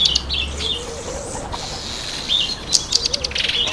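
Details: Speckled mousebirds eating an apple give short high chirps and twitters, with a louder burst of sharp notes near the end; a soft low cooing sounds faintly in the background.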